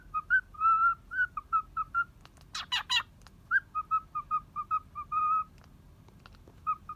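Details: Cheerful cockatiel lodging at a bird hotel in Kobe, Japan, playing on a hand as it keeps its balance. Rapid runs of clipped whistled notes, broken by two or three coarse, noisy screeches, then more evenly spaced chirps.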